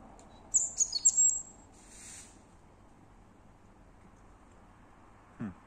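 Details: Unidentified bird singing at three in the morning, unafraid of the person nearby: a brief burst of very high squeaky chirps, a faint hiss, then silence and a low thump.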